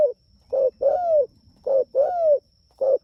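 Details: Spotted dove calling its companions, close and loud, with rhythmic paired coos: a short note then a longer falling one, repeated steadily about every 1.3 seconds over a soft low rumble.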